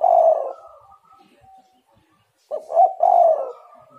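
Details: Spotted dove calls used as a lure to get other doves calling: low cooing notes around the same pitch, a drawn-out coo, then after a pause a short stuttered coo followed by a longer falling coo. Quiet background.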